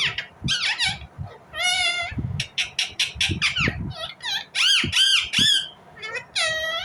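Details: Indian ringneck parrot in a busy outburst of overlapping squawks. Rapid clipped chatter mixes with longer wavering, falling screeches. The sound is almost continuous and loud.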